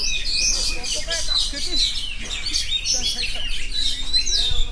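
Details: Oriental magpie-robin in full nonstop song, mixing clear whistles with rapid chirping trills, while soft human speech is heard underneath.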